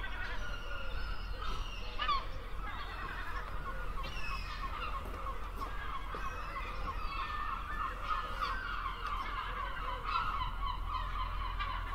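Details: Many gulls crying continuously, overlapping harmonic calls with short rising notes and occasional sharp bursts, over a constant low rumble.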